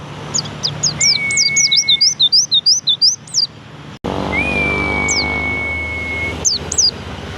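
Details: Javan white-eye (pleci) gives a fast run of high, squeaky, slurred chirps, about three per second, over a sustained level whistle. A short break follows, then more long whistles and a few sharp notes.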